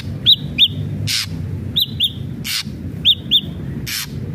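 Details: Ashy drongo repeating a pattern of two quick whistled notes followed by a harsh rasping burst, three times, over a steady low rumble.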